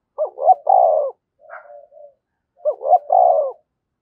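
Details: Spotted dove calling as a decoy to lure wild birds, in the 'thổ' voice style. Two deep cooing phrases, each two quick hoots and a long rolling note, separated by a brief softer call.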